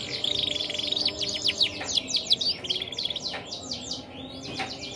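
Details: Song of a hybrid canary, a Red mosaic crossed with a Waterslager: rapid chattering trills of downslurred high notes, about three per second, with sharp chips between phrases over a faint steady hum.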